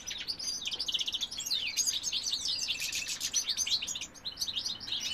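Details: Male European goldfinch giving a sustained, bubbling song of tightly packed high twitters, jingling trills and slurred chirps, with steady energy throughout.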